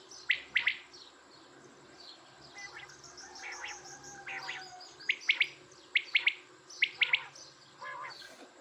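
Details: Quails calling with bright, clipped chirps, mostly in pairs or short clusters roughly once a second, some softer notes between, over a faint steady hum.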